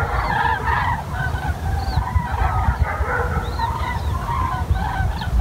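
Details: A flock of common cranes near Wiesbaden-Auringen, Germany, fills the air with overlapping, rolling trumpet calls from many birds at once, over a steady low rumble of wind.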